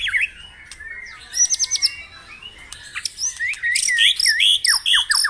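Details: White-rumped shama song used as a morning lure to stimulate caged birds to sing, with low whistled slurs, a brief high trill burst, then a loud run of rising and falling whistled phrases.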